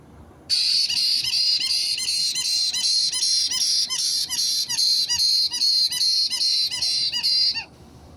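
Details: White-bellied caique parrot, 29 March 2022: a long run of piercing, grating screeches, about three per second, lasting some seven seconds, with quiet before and after.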